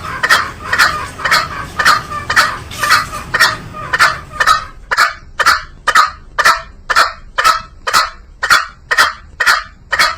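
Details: Green junglefowl: a long, very regular series of about twenty harsh, scratchy calls, two per second, each a short loud rasp that stops sharply.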